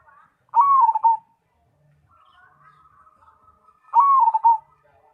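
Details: Zebra dove of the Cemani variety singing actively: two rolling coo phrases spaced about three seconds apart, with a quiet wavering trill running between them.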